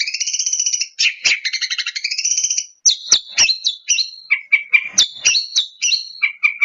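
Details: Long-tailed shrike in provocation song, starting with a fast rolling trill that rises in pitch, then shifting to separate sharp chips and short whistled notes at varied pitches.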